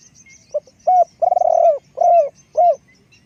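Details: Spotted dove, a decoy bird, cooing: a short low note, a clear coo, a rolling trilled longer coo, then two more falling coos, all in about three seconds over faint background hiss.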